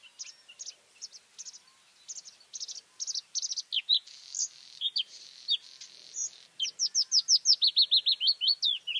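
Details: White-spotted bluethroat in May, singing high clipped notes in short bursts, then a buzzy, scratchy stretch, and finally a rapid, ringing trill of repeated downslurred notes.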